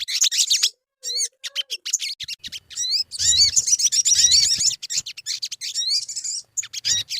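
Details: Crimson sunbird song used as a lure to get birds singing: high, scratchy twittering with quick upslurred whistles, about four notes a second, in long dense runs separated by short gaps, with faint low bumps.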